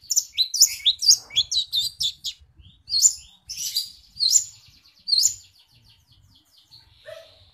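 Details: Long-tailed shrike in full song, mimicking house sparrow: a rapid run of bright, chirpy notes tumbling between high pitches. It pauses and then adds scattered chirps, ending with a short buzzy note. Faint low rustling sounds underneath.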